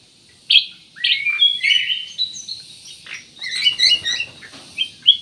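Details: Black-naped oriole in full, busy song used as a lure to prompt other birds to sing: a lively run of sharp, slurred chirps and short whistles, bright and high, tumbling one after another with brief pauses.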